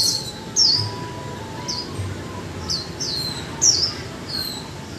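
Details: Japanese white-eye in a cage for one month, uttering sparse high, falling chirps at irregular intervals of about a second, each thin and squeaky, over quiet low background noise.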